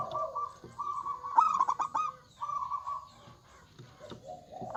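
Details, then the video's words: Local zebra dove, a loud-voiced bird in vigorous song, sounds overlapping low cooing phrases with a burst of rapid staccato notes in the middle, as if more than one dove is calling at once. "PERKUTUT LOKAL GACOR Suara Besar"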